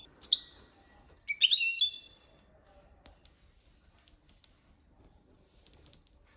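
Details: European goldfinch singing copia Malaga training song: two bright twittering bursts in the first two seconds, then only faint tiny ticks and clicks.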